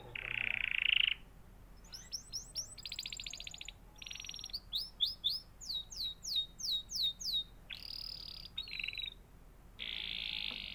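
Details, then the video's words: Canary chirping: a steady buzzy trill, then runs of very rapid repeated high notes, a series of clear downslurred whistles repeated about three times a second, and further rolling trills, with low steady background hum. "natural canary chirping sound"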